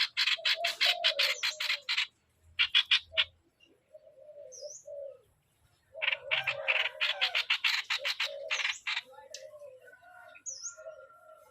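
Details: Streak-eared bulbul decoy bird giving bursts of fast, harsh 'sor' notes separated by gaps filled with low whistled phrases; thin high chirps sound occasionally in the background.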